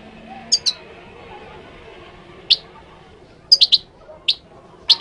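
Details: Moroccan goldfinch giving scattered high, sharp chirps, singly and in quick pairs or triplets, separated by short pauses, against faint low background noise.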